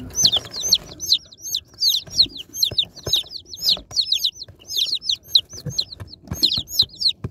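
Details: Baby chicks taken from a box peep almost continuously, dense high chirps sliding downward in pitch, mixed with clicks and knocks of handling.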